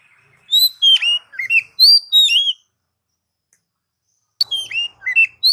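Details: Oriental magpie-robin, recorded as a lure for training pet birds: sweet slurred whistles, several sharply falling, delivered in two quick phrases with a gap between them.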